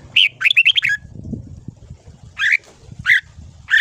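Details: Morning song of a red-whiskered bulbul for voice training, ché style: a fast run of five or six chirpy whistled notes, then single sharp notes after a pause, with low-frequency background murmur.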